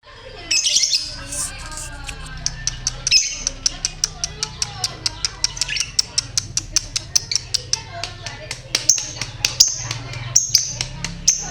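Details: Lovebird in ngekek singing style, short in duration but persistent, recently done with nest-weaving and said to be in good voice; rapid run of sharp high clicks and chirps, roughly three per second, over a steady low hum and faint voices.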